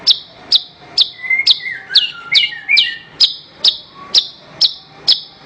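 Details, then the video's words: Horsfield's bush lark song for training songbirds: sharp high downswept notes repeated about twice a second, with a burst of lower twisting whistles in the middle. "Ocehan Suara Burung Branjangan"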